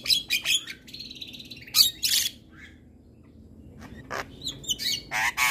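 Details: Morning song of a Javan myna, with short harsh chattering bursts and a buzzy sustained note, then a quiet pause before more scattered clicks and rasping notes.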